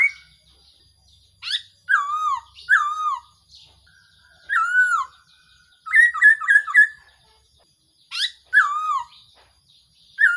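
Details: Black-throated laughingthrush calls used as a trapping decoy: loud whistled notes sliding down from about two to one kilohertz, repeated in bursts and mixed with quick runs of short chattering notes, with silent gaps between phrases.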